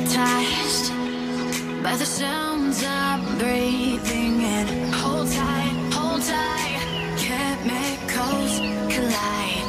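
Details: Pop music with female singing and electronic instruments plays throughout, with no animal sounds audible.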